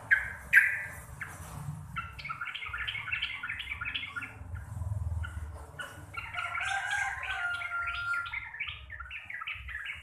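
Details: Sooty-headed bulbul, a Javanese local type in chattering ropel song, deep and loud: a sharp opening burst gives way to long continuous runs of quick, bubbling chatter notes over a rumbling background.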